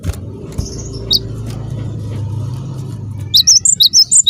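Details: Cinereous tit calling to provoke other tits into answering: after a stretch of low humming noise, a rapid burst of about eight high, sharp, repeated notes closes the recording.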